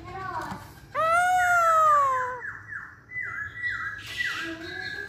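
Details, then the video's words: Masked laughingthrush singing: a loud, drawn-out, harsh harmonic squawk slides slowly down, followed by a series of soft falling whistles and a brief hiss. "Burung Poksay Hongkong Gacor"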